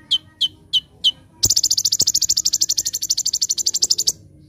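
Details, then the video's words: Sunbird master recording for training birds: four sharp high chips, then a long fast buzzy rattle of rapidly repeated notes lasting nearly three seconds. "Masteran Handal ‼️ Konin Gacor Full Tembakan"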